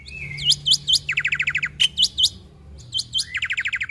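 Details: Black-winged myna (Sturnus melanopterus) singing a full mimicry-rich song: loud, high, swooping whistles alternating with fast rattling trills of about eight notes, repeated in quick bursts.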